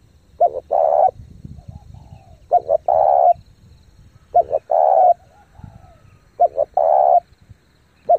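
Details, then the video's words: Spotted dove lure bird in fast thúc gù cooing: paired short notes then a drawn-out coo, phrases repeating roughly every two seconds with low rumble in the gaps. "chim cu gáy thúc gù tốc độ căng lửa kích mồi tập bổi cực mạnh"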